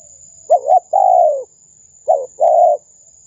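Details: Spotted dove calling hard on a lure recording for wild doves: two phrases, each a quick double coo and then a fuller, slightly falling coo, with a constant thin high-pitched tone behind.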